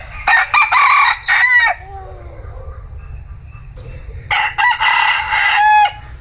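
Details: Bantam rooster crowing twice, each crow a loud, strained burst of several broken syllables ending in a drawn-out note, the second coming a few seconds after the first, with steady low background hum.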